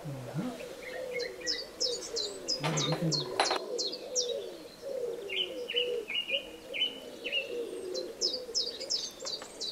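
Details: Eurasian tree sparrow chicks being fed: dense, high, thin chirps in quick overlapping bursts, some rising in pitch, with a lower chirping series in the second half, over a steady low wavering hum or voice-like murmur.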